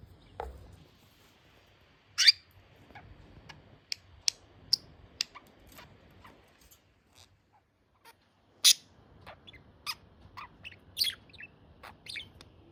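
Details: Budgerigar chirps over near-silence: sharp, high, clicky notes come in loose bursts, separated by quiet gaps, with a denser cluster of chirps toward the end.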